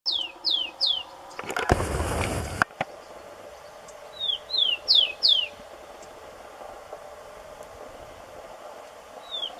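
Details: Rufous-collared sparrow (Zonotrichia capensis) in Brazil gives its song: clear, high whistles that slur downward, in groups of two or three, with a brief burst of rustling noise between phrases.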